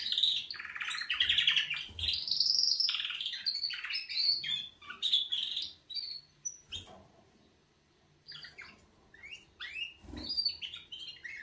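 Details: Wake-up song of canaries: dense rolling trills and sharp chirps pour out for six seconds, break into a brief silence, then resume as scattered clipped notes and quick slurs.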